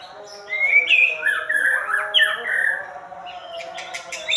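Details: White-rumped shama giving a jumbled, chattering medley of squeaky whistles and buzzy notes, followed by a few sharp clicks at the end.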